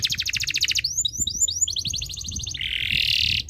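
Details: Canary in breeding condition singing to set other birds singing: rapid high trills of repeated notes, then a run of quick upslurred chirps, ending in a dense buzzy rattle.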